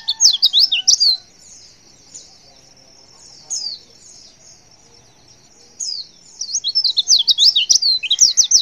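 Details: A female white-eye calling so that males respond: an opening burst of high zigzag chirps, a quiet stretch with a few isolated notes, then a long rapid twittering run to the end.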